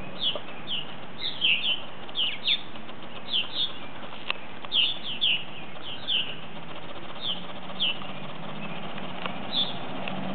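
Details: Purple martins coming in for the night, about ten birds arriving: scattered short chirps and chattering notes, some in quick clusters, spread through the clip over a low background rumble and faint wingbeats.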